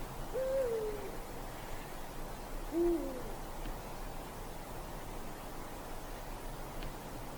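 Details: A Eurasian eagle-owl in a dark forest on a winter night gives two low, hollow hoots about two seconds apart, the first slurring downward, over a steady background hiss.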